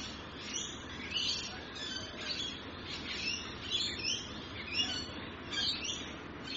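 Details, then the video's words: Australian rainbow lorikeets chattering: dense run of grating, high squawks and sharp screeches, several callers overlapping almost continuously for six seconds, with a broad low hum underneath. "Rainbow Lorikeets Australia | Bird Sounds"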